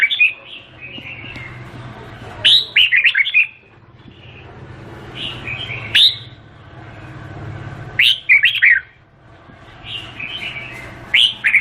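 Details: Vietnamese red-whiskered bulbul delivering bright, bubbly whistled phrases of a few fast up-and-down notes, repeated every three to four seconds, with quieter twittering in the gaps and a faint low hum beneath.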